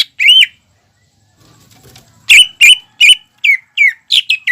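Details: Lively greater green leafbird song for prompting young leafbirds to sing: one rising whistled note, a pause with soft rustling, then six crisp, loud whistles with downward slides in quick succession.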